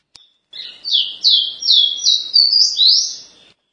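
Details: A capped seedeater, locally caboclinho, sings in the paraense style: a soft lead-in, then about six ringing, downward-sliding whistles and a closing rising whistle.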